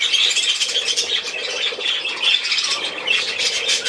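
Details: Continuous budgerigar warbling: scratchy, grating chatter mixed with thin whistled squeaks, loud and unbroken throughout.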